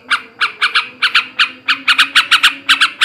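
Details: Male yellow-vented bulbul, ngebrem ngekek garuda style for stimulating breeding: scratchy squawked notes, singly and in pairs, speeding into quicker clusters toward the end, with a steady low hum.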